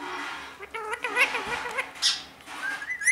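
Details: A talking parrot mimicking words like 'mummy papa'; a wavering, nasal, speech-like string of syllables with rising and falling pitch, a few sharp squeaky notes near the end, and steady background noise.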